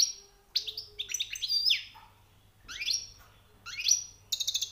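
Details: Recently caught European goldfinch in song: a high whistled note leads into tinkling twitters and descending slurs, repeated in short phrases separated by brief silences and ending in a buzzy rattle.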